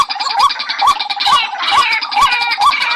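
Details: Trapping decoy call of a White-breasted waterhen: short, rising hooked notes about every half second, with clicks, partly masked by bright, chattering higher-pitched background sound.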